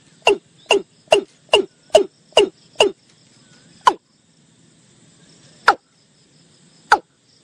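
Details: A watercock (Gallicrex cinerea) gives a quick run of seven sharp, hollow, downslurred notes about two per second, then three more spaced out, over a faint low background hum.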